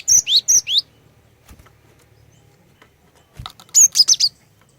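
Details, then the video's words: Female cinereous tit luring males to sing: high, piercing notes with downward sweeps open the recording, then after a quiet gap a second fast phrase of five sharp whistles follows, with a few soft knocks. "Kicauan Glatik Betina Pikat Gacor, Cepat Bikin Glatik Jantan Ikut Bunyi Gacor"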